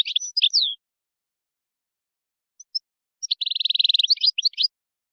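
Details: Moroccan-style European goldfinch song for tutoring chicks and hybrids; a short twittering phrase ending in a downslurred note, a pause with two faint chips, then a fast rattling trill of evenly repeated notes followed by more twitters.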